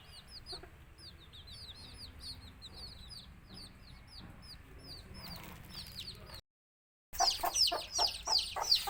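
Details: Native country chicks and a mother hen calling them to eat: steady high, falling peeps with occasional faint clucks, then after a short silence, louder, rapid clucks and intense chirping.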